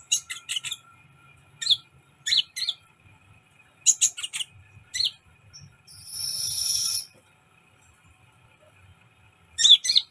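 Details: Sunbird giving short clusters of piercing high chirps separated by pauses, then a sustained hissing, buzzy trill lasting about a second before the chirps resume.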